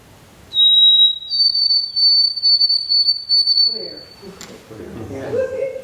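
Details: White-throated Sparrow, a forest-dwelling sparrow, singing clear, pure whistles as a clear-whistle example: a lower opening note, then a higher note held long. Voices and room murmur follow.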